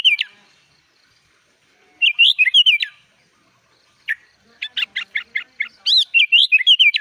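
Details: Sooty-headed bulbul singing gacor full isian: bursts of liquid whistled notes separated by silences, including a rapid string of evenly spaced short chips before a final warbling phrase.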